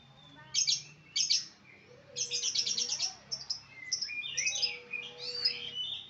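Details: Lovebird calling with a few shrill, high squeaks followed by a rapid chattering burst and varied twittering notes, with a faint low hum in the background.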